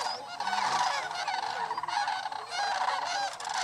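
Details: Sandhill cranes, thousands strong, migrating through Paynes Prairie State Preserve in North Florida, give a loud, dense chorus of trumpeting, rattled calls with rising and falling notes tumbling over each other throughout.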